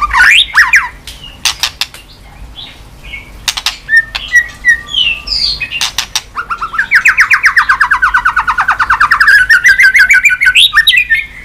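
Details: Caged white-rumped shama beating its tail on the perch floor while singing: scattered whistles and loud dry clicks, then a long rapid trill of repeated notes dipping and rising in pitch.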